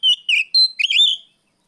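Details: Oriental magpie-robin, afternoon 'riwik plong' song used as a lure: one brief, loud, clean phrase of about four whistled notes, falling and rising in pitch, the last one longest.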